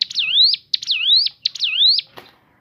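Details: Natural song of a Crescent-chested babbler, three clear whistled phrases in quick succession, each opening with a sharp high note, then a dip and a long upward slur, followed by a single click.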